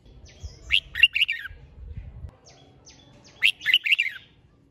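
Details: Red-whiskered bulbul singing to stimulate competitive song: two bursts of warbled, chattering phrases around one to four kilohertz, about three seconds apart, with faint low rumbling between them.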